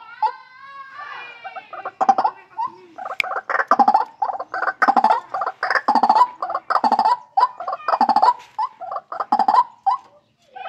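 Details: White-breasted waterhen from a captive breeding site, calling loudly and persistently: a long string of rapid nasal, croaking notes in stuttering clusters, with a brief rising wavering opening and a few sharp accents.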